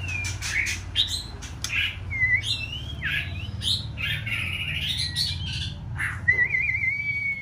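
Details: Juvenile female white-rumped shama, six months old, practising singing: choppy bursts of chirps and short whistles, then a long level whistle at the end, over a steady low rumble.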